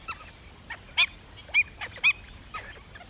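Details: Black-winged stilt uttering quick, piercing, barking yelps, three loud notes about half a second apart among fainter ones, under a persistent high-pitched whine.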